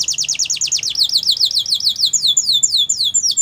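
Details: Belgian canary song intended for training young canaries: continuous high falling slurred notes repeated rapidly, then slowing into wider-spaced downward sweeps.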